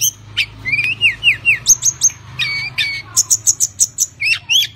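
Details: Tledekan gunung from Java, kept as a songbird and used to spur other birds to sing: varied high chirps, down-slurred whistles and short trills in quick succession, ending in rapid repeated high notes, over a faint low hum.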